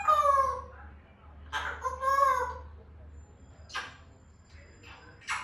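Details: Grey parrot making natural vocalisations: drawn-out harmonic wailing whistles that bend up and down, two long notes, then short harsh bursts and clicks, with a low steady hum underneath.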